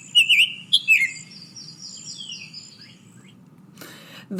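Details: Summer Tanager, a big red songbird and summer resident of Texas, gives one of several chirpy song variants, which may differ east to west: quick whistled phrases rising and falling, then fading softer notes; a brief voice cuts in at the end.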